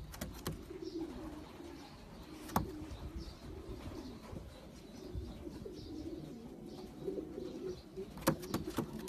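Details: Champion long-distance racing pigeons: low, soft cooing murmurs throughout, overlapping from several birds, with occasional sharp clicks or knocks and a steady background hum.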